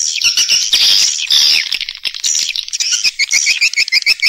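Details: Lure call for attracting swiftlets to nest houses: a busy mass of overlapping twitters, then a run of short, evenly spaced chirps repeated about twice per second toward the end.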